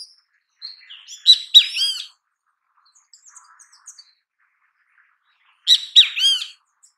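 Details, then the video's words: Great kiskadee calling in natural habitat: two bright, strident phrases of stacked, slurred notes about four seconds apart, each three syllables long, with a few faint soft chips between them. "Grande Canção Kiskadee! Grande Canto Kiskadee! Ótimos sons de Kiskadee! Grande Chamada Kiskadee!"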